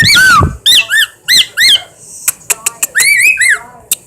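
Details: Pet bird indoors making odd noises: a series of loud arched, harmonic squeaky whistles, each rising then falling, in short bursts, mixed with sharp clicks and a brief gap of near silence mid-way.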